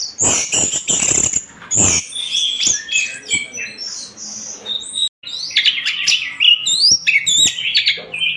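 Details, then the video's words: Orange-headed thrush singing loudly in a bird-tutoring recording: a dense, fast run of high whistled and trilled phrases with sharp sweeps, broken by loud clicks and a brief pause midway. "MASTERAN SUARA BURUNG ANIS MERAH GACOR"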